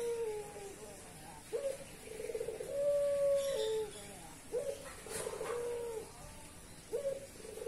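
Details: Repeated cooing from a dove in breeding condition, cooing on and on: low throaty phrases, each opening with a short note before a long sustained tone, recurring roughly every one and a half to two seconds.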